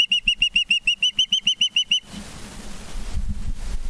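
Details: Evening at an osprey nest in Charlo, Montana, 19 September 2023: a rapid run of a dozen piercing, evenly spaced whistled chirps lasting two seconds, then stops, giving way to rustling and wind-like noise.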